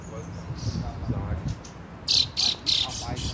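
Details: Fieldfare chick near its family, June 2nd: after a quiet start with faint low noise, four strong, rasping high calls come rapidly in a row near the end.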